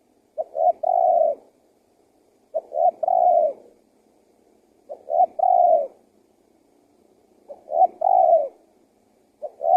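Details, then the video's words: Spotted dove decoy calling aimed at bringing wild doves close and making them call; four full phrases of two short notes then a drawn-out mellow coo, about every two and a half seconds, with a fifth just beginning at the end. "SUARA TEKUKUR GACOR PALING AMPUH UNTUK PIKAT BURUNG LIAR"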